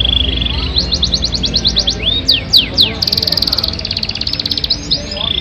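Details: Yorkshire canary song with lengthy duration and rich fills: a held high tone, quick repeated whistled notes, a buzzy rapid trill and sweeping slurs, with faint low background sound.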